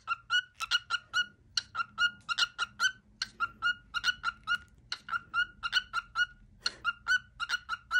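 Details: Indoor pet cockatiel, male, performs his favourite daily cookie song. Dense groups of short, bright whistles come two to four at a time at a steady pitch, over a faint low hum of the room.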